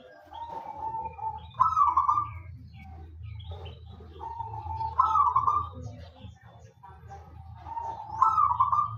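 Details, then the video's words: Local wild zebra dove singing steadily to draw other doves into song: three repeated phrases about every three seconds, each a level trilled coo rising into a louder rolling burst, with soft background rumble. "perkutut lokal alam gacor untuk pancingan pada bunyi"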